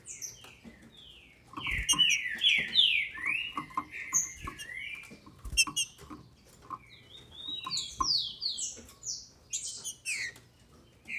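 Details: Captive female green-winged saltator from Brazil, singing to excite males: bursts of slurred, descending whistled notes in quick runs, with frequent sharp cage clicks and taps throughout.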